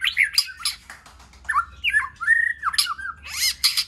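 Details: White-rumped shama in varied training song: brief harsh chattering notes mixed with slurred whistles that swoop downward and upward, in short bursts separated by pauses.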